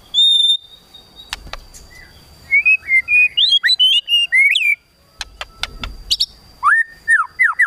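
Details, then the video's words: Provocative kretekan tembakan song from a white-rumped shama: a clear high whistle, a run of varied sweeping whistled notes, a pause with sharp clicks, then more loud downward-slurred whistles. "KRETEKAN TEMBAKAN MURAI BATU MEMANCING EMOSI"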